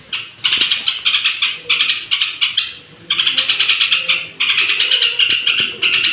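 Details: Before sleep, a straw-headed bulbul (trucuk) sings to provoke rival bulbuls, pouring out dense, bubbling chatter in several sustained phrases with short pauses between them.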